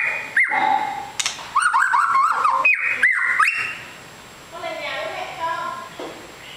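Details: Long-tailed white-rumped shama, called a super fighter: bright whistled and warbling phrases for about four seconds, followed by a quieter stretch of softer notes.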